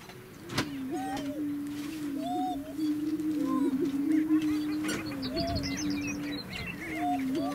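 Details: {'text': 'Greater Prairie-Chickens displaying on a lek in grasslands near McCook, Nebraska: a steady, low moaning boom chorus under rising whoop-like notes, sharp camera clicks, and high twittering from Horned Larks and Western Meadowlarks.'}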